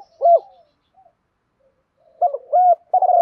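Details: Spotted dove decoy bird of the thổ voice style cooing to call wild doves and prompt them to coo back; loud, low hooting coos in bursts, two notes then a pause, then a rapid run of three coos.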